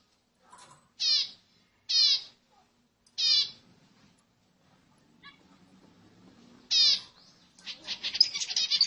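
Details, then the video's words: Zebra finch calling to stimulate other birds: four loud, nasal, stacked call notes about a second apart, then a pause, a fifth call, and a dense run of rapid twittering at the end. "صوت طائر الزيبرا لتهيج الطيور"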